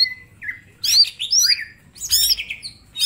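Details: Small green leafbird singing a master song for training birds: harsh squawky bursts mixed with looping whistled notes in two dense phrases, separated by a brief quieter gap, over a low background rumble.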